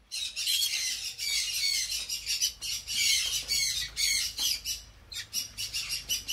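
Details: Hand-fed pineapple conure chicks, 25 days old and closed-ringed, giving continuous harsh, raspy squawks in rapid uneven pulses, high-pitched and hissing, with hardly a pause throughout.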